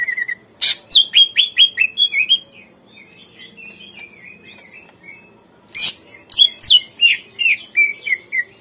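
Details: Greater green leafbird song meant to stir captive birds into responding and singing: fast runs of sliding whistled notes about three per second, a softer warbled middle passage, then another rapid whistled series.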